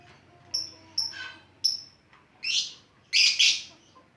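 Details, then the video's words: Lovebird 'ngetik' song, offered as a strong lure for other lovebirds: a few thin high chirps give way to louder, rasping shrieks, the last two run close together. "Love bird ngetik pancingan ampuh"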